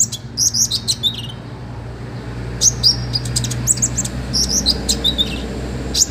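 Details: Full, lively song of an olive-backed sunbird, a master recording for tutoring other birds: clusters of very high, sharp twittering notes in bursts separated by brief pauses, over a steady low background hum.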